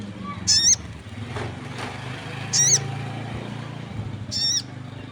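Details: Crested jay vocalizing heavily, other birds joining in: three short, harsh, harmonic squawks repeated roughly every two seconds over a steady low hum and faint ambient noise.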